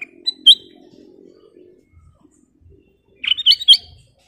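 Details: Black-crested bulbul (Rubigula flaviventris) singing actively in full song, used as a lure or training recording: a quick liquid whistled note, then after a short pause a bright burst of three or four rising, warbled whistles, with a faint low hum early on.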